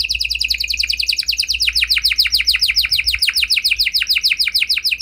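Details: Gacor canary singing a special lure song meant to make any other canary answer; a rapid, steady trill of down-slurred notes shifts after a second or so to a slightly lower, fuller tour and continues without pause.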